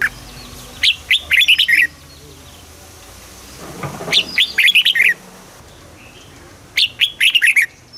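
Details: Red-whiskered bulbul song in the southern master style, played to stimulate caged birds and teach young birds: short whistled phrases of five or six quick notes, rising then falling, repeated three times with pauses of about two seconds.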